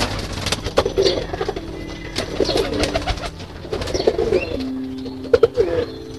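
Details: Loft pigeons at feeding time utter repeated soft, low, rolling coos, several bursts spread across the recording, while gentle ambient music plays underneath.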